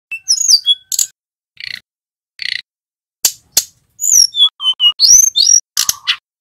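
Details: Male tledekan gunung flowerpecker singing actively: thin high whistled notes and slurred rising and falling phrases, broken by short buzzy chips and sharp clicks, with gaps between bursts.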